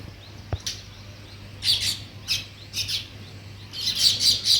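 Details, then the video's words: Weaver birds at work on a nest, heard as short bursts of harsh, high chattering chirps separated by brief quiet gaps, with one sharp click near the start. "Sparrow Chirping Sounds, |Weaver Birds Building Nest"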